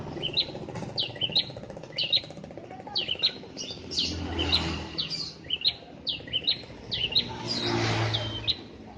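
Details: Prinia singing, used to make a ceplier respond: bright high chips and short slurred notes in rapid repeated groups, over steady outdoor background noise with a passing low rumble.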